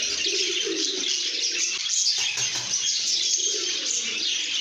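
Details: Lovebirds in a happy mood chattering, loud high-pitched chirps and twitters throughout, brief wing flutters and a couple of low cooing phrases below.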